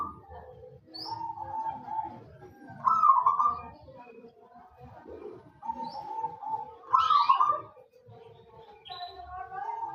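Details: Zebra dove of local wild type, in full song as a lure, makes soft purring coos broken by louder trilled bursts roughly every four seconds, with faint low background noise.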